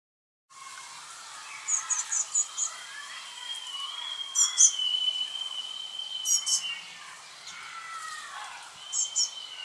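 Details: Fledgling Eurasian blue tits utter brief clusters of high, sharp chirps at intervals, while a steady, clear whistled note from another bird runs through the middle and soft lower twitters continue throughout.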